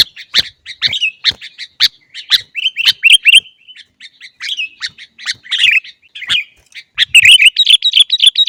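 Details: Sooty-headed bulbul (kutilang) in 'gacor' song used to train caged birds to sing: irregular sharp chirps mixed with slurred whistled phrases, ending in a fast, rolling run of bright, bubbly notes.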